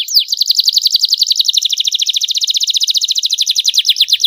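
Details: Canary master song with clear voice and ornate cengkok mewah phrasing: one continuous, very rapid, high rolling trill of tiny downslurred notes, steady in pitch and pace for over four seconds.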